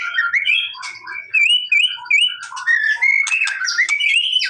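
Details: White-rumped shama song meant to provoke a response, a varied string of clear whistled notes and slurs, some wavering, punctuated by short harsh buzzy bursts near the end.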